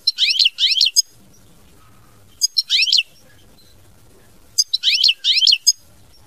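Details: Mama binette style goldfinch song: three repeated phrases of rapid sweeping, rising high notes ending in a sharp chirp, each about a second long with short gaps.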